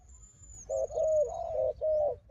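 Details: Combative wild dove calling against a strong decoy: a run of low, steady coos almost joined together, the middle notes drawn out, with a thin high whistle from another bird at the start.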